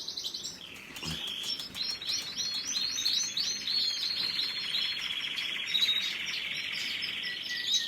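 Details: Canary singing a long, continuous song of rapid rolling trills and fast repeated chirps, high and bright, with a short dip in pitch near the start before the trills run on steadily.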